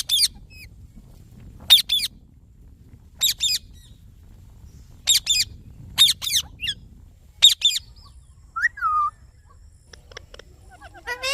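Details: Indian ringneck parakeet, green, gives piercing squawks in pairs roughly every one and a half seconds. Near the end there are a softer falling whistle and scattered faint chirps.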